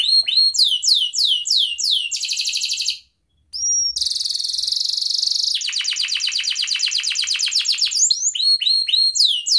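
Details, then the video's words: Canary lure song meant to set other canaries singing: fast series of sweeping upslurred chirps, a buzzy trill, a brief pause, a steady buzz, then a long rapid rolling rattle ending in rising chirps. "Kenari gacor NGEREK Cuit cuit EMOSI 100% AMPUH pancingan kenari"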